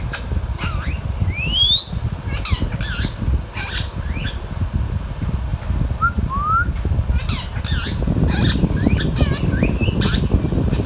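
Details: Pet baby Indian ringneck parakeet, green form, chattering in a mix of loud, harsh, broadband squawks and brief rising whistles, several calls every second in bursts, with constant low-pitched room noise beneath.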